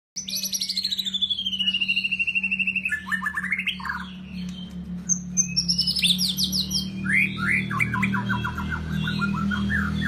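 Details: White-rumped shama, a golden shama type, singing: a loud burst of rapidly repeated chipping notes, a long falling whistle, then varied sweeping whistled phrases and fast rattling trills over a steady low hum.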